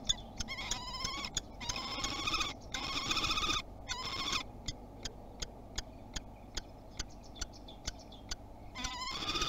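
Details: Common kestrel calling at a nest box in Théding on 30 March 2021, first visit of the season: bursts of harsh, harmonic, whining notes repeated rapidly in the first four seconds, then sharp clicks and scratching sounds.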